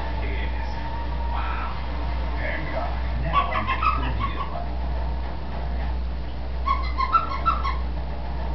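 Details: Female green-winged macaw kept as a pet, talking up a storm indoors when she thinks no one is in the room: bursts of speech-like chatter with bright tonal syllables near the middle and end, over a steady low hum.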